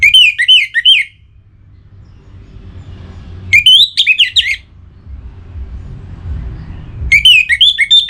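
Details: Orange-headed thrush, a captive bird in breeding condition from North Bali, calling a rival with three phrases of loud, warbling whistles that sweep up and down, about three and a half seconds apart, with a low hum between them.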